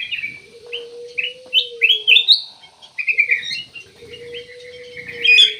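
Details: A ruby-throated bulbul, called kutilang emas, repeats short rising chirped notes in a steady series, with a low, even droning tone running beneath in two long stretches.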